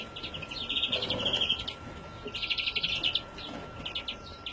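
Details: Young European greenfinch from 2017 delivering two long bursts of fast, rattling twitter, each lasting over a second, separated by a brief pause, with a faint steady tone behind.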